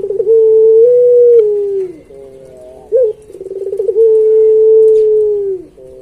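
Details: Gacor puter pelung, a Barbary dove, recorded as a master for pet doves. Pulsed rolling coos open into long sustained low hoots that slowly sink, twice in succession, with a short hooked note between.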